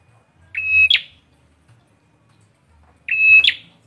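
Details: Two loud phrases of bar-winged prinia, called peranjak or ciblek: a sustained level whistle ending in a crisp rising chip, spaced about two and a half seconds apart in near silence.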